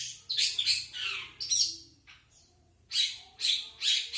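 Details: Long-tailed shrike, non-isian standard song: a rapid cluster of harsh rasping notes, a quiet gap of about a second, then three loud, evenly spaced scratchy squawks.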